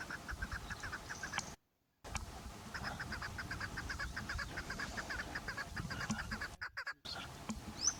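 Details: Chukar partridge giving rapid, evenly spaced clucking notes in a long unbroken series, briefly cut by two gaps of silence, with a low rumbling background and a faint rising squeak near the end.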